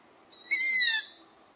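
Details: Young long-eared owl giving a single drawn-out, harsh, wheezy squeal of about half a second, rich in high overtones, with a faint background hiss.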